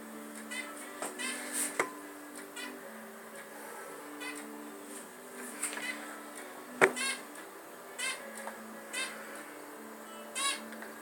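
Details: Pet zebra finches kept indoors give short, nasal, toy-trumpet beeps about every second in the early morning, with a woman talking softly and a low indoor hum.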